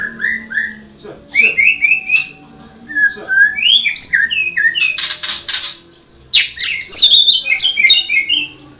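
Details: White-rumped shama of the Medan type, a mottled bird, singing varied whistled phrases: rising and falling clear notes mixed with harsh rasping bursts, delivered in rapid groups with short pauses.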